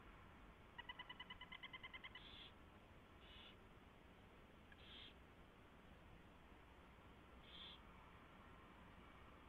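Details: Nest owl during mouse delivery and feeding, before dawn at 4:21 AM, 24 February 2016: a quick ticking twitter of a dozen notes, then several short breathy screech-like hisses spread out, over constant low noise.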